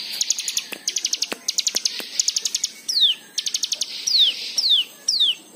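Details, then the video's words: Lure recording of white-eye song meant to get other birds singing: fast runs of high clipped chirps in rhythmic bursts, then several steeply falling whistled notes with a buzzy trill. "Pancingan Cigun Agar Bunyi"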